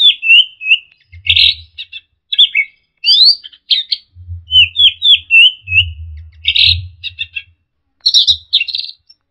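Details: Orange-headed thrush songbird-training recording: a continuous run of varied short whistled and chirping phrases, slurred up and down, with sharp high bursts and intermittent low thumps.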